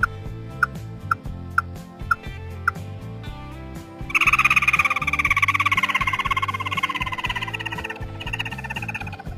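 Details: Songbird known locally as chim mắt đỏ: a few sharp single pips, then a long, rapid, buzzy trill that slowly falls and fades, over a steady rhythmic music backing track.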